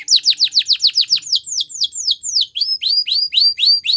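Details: Female Belgian canary, morning singing: a rapid series of sharp descending chirps, then slower sweeping whistles, then a run of rising notes about four per second.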